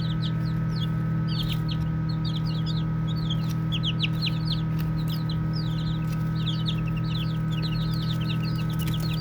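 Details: Young chicks at play peep in quick clusters of short, downward-sliding whistles, spaced by brief lulls, against an unbroken low droning hum.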